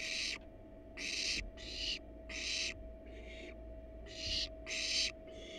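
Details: Wild barn owl family at a research nest box, adults perched on the box while nestlings stay inside; seven rasping, hiss-like bursts in quick, uneven succession, some softer than others, with a constant background hum.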